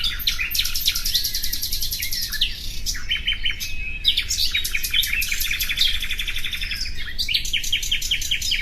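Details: Common nightingale song: rapid rattling trills and repeated clicking notes alternate with sharper whistled phrases, nearly continuous, over a steady low background hiss.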